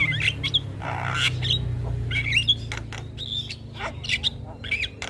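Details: Nonstop chattering Javan myna song mixing short whistled upslurs, harsh rasps and sharp clicks in quick jumble, over a constant low mechanical hum.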